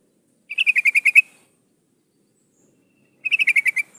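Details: Female sooty-headed bulbul in breeding condition calling for a male, giving two short chattering bursts of roughly eight pulsed notes each, nearly three seconds apart, in clean silence.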